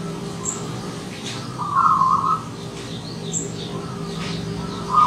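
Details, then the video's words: Wild local Zebra dove singing in the morning: a short, rapid burst of soft, staccato cooing notes at mid pitch, with a steady low hum underneath and faint high chirps from other birds. "Perkutut Lokal Alam Manggung di Pagi Hari"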